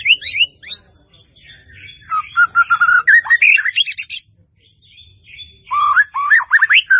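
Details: White-rumped shama singing a melodious full-repertoire song: varied, rich whistled phrases with rising and falling slurs, fast chattering bursts, a pause midway, then more rapid zigzag whistles. Faint low hum underneath.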